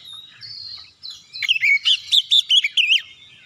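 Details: Oriental magpie-robin song to spur other birds: a soft drawn-out whistle leads into about seven loud, arched whistled notes repeated quickly, each swooping up then down.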